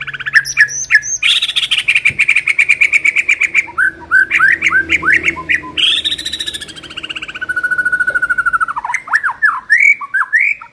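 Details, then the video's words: White-rumped shama lure song for training: high rapid chips, a long buzzy pulsed trill, tumbling whistled slurs, another rasping trill, then a long level whistle and looping phrases. "pancingan murai batu"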